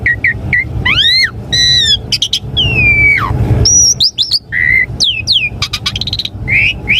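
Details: Jalak suren (Asian pied starling) song used to stir caged birds into replying: varied phrases of clear upward and downward whistles, harsh squawks and buzzy notes, with steady low traffic-like rumble underneath.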